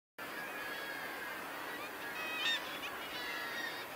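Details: Northern gannets at Bempton Cliffs, a dense, continuous seabird colony din of harsh overlapping calls with layered harmonic tones, swelling briefly around the middle with a louder rasping outburst.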